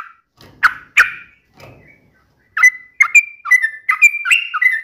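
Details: Yellow-vented bulbul (trucukan) in gacor uplik style with sharp ropel bursts: two loud harsh notes, a pause, then rapid chirpy phrases with bright whistled notes that step up and down.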